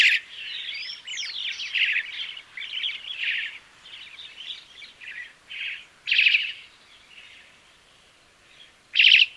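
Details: Song of the crested myna: a stream of scratchy, buzzy chatter with a few sliding whistles, then louder separate harsh bursts near the end.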